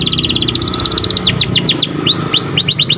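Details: White canary singing, meant for training canaries to sing more, with a quick even trill of high chirps giving way to slurred descending notes and arched whistles, over low background rumble.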